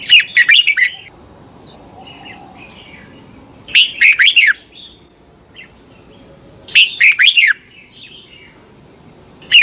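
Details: Red-whiskered bulbul in doubled song, played each morning for young birds to learn: short bursts of five or six rapid, sweet chirping notes recurring about every three seconds, softer notes between, a steady high electronic whine behind.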